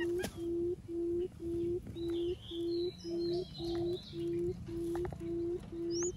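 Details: A decoy quail gives its 'um' call to draw in others: low, smooth hoots repeated at a steady pace of roughly two per second, with sparse distant birdsong and a few sharp clicks behind.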